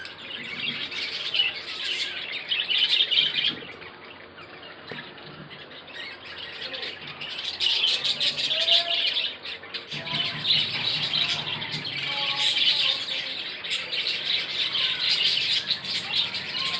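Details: Budgerigars kept as a breeding colony, the whole group chattering nonstop in a dense mix of high warbles, chirps and scratchy squawks.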